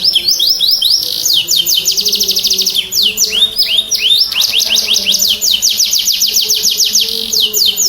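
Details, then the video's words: Canary song played to prompt silent, stressed canaries to sing: rapid trills of descending high whistled notes repeated in fast series, with sharp sweeping chirps and a faint low hum beneath. "Pancing Kenari Bunyi Kenari macet Langsung Respon"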